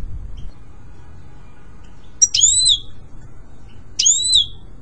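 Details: European goldfinch song for pet-bird training: a quiet start, then two high whistled notes with abrupt attacks and gliding double tones, about one and three-quarter seconds apart, over steady low hum.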